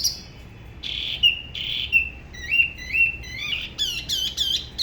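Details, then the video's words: A Spot-throated Babbler from the La Ba river area near Da Lat, Vietnam, singing solo in an unusual local style: a lively run of clear, high whistled phrases with quick slurred and trilled notes, quickening toward the end. "Spot-throated Babbler the best solo"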